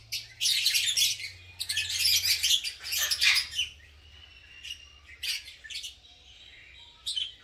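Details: Breeding colony of green personata lovebirds pairing and nest making: loud bursts of shrill, buzzy chatter in the first half, then quieter gaps broken by short sharp chirps.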